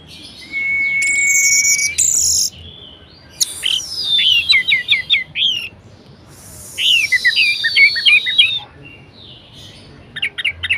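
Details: Varied song of a kept orange-headed thrush, used to spur lazy birds to sing: a sustained thin whistle under buzzy high notes, then two rapid runs of descending slurred chirps separated by a short pause.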